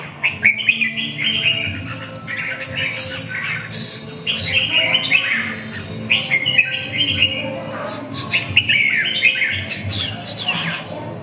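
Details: Red-whiskered bulbul at a bird sparring gathering gives bright, bubbling chirps and short warbled phrases in quick bursts, with other birds calling and faint background hum.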